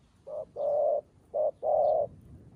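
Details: Newly trained decoy dove placed on the ground to learn to call wild doves toward a trap; four low hollow coos, two short notes each followed by a longer drawn-out one, over a quiet background.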